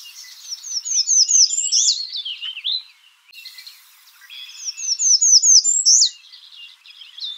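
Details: American redstart calling: two high, thin phrases about three seconds apart, each a quick run of five or six repeated sharp notes ending in an emphatic note that slurs up and then down.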